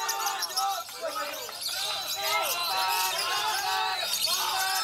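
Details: Babone, a champion contest lovebird, pours out a long, unbroken ngekek on a contest field: fast, shrill, buzzy chattering with rapid scratchy chirps and no pauses. A noisy hall of voices sounds behind it.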